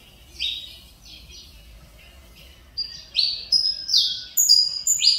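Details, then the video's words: Saffron finch, Mineirinho line, son of a Cobrap vice-champion, returning to its song after a long feather problem. Soft buzzy notes build into loud, ringing, downslurred whistles repeated about twice a second. "Canário Mineirinho filho do Mineiro vice campeão Cobrap e de mãe CMA voltando a cantar"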